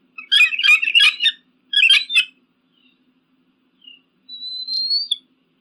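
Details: Eagle calling, a sound meant to scare off pigeons and crows: a fast burst of high, rattling chatter notes, a shorter second burst, then a long, thin whistle rising slightly at the end.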